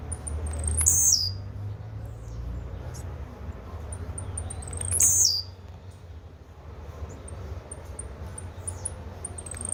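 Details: Blue-black grassquit with brown plumage giving very high thin buzzy bursts that sweep downward, about every four seconds, interspersed with faint high ticking notes over low background rumble.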